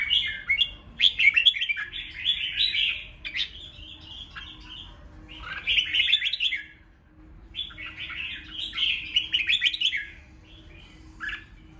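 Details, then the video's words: Provocative fighting song, 'ché' style, from a red-whiskered bulbul: three long spells of busy, chirping, rattled warbling, each several seconds, with quieter gaps and a faint low hum beneath. "Kích Chào Mào Hót Ché/ Kích chào mào hót đấu hay nhất,bổi nghe là hót theo,khiến bổi ức chế căng lửa"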